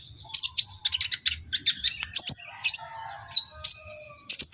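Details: Brown-throated sunbird (kolibri ninja) in lively song. Clusters of very high, sharp chirps are broken by brief pauses, with a few thin upslurred whistles and a soft low hum in the background.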